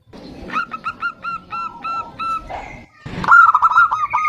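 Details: Zebra dove female calling for the male: a quick row of bouncy repeated coo notes amid low background noise, a brief pause, then a louder, rougher rolling phrase.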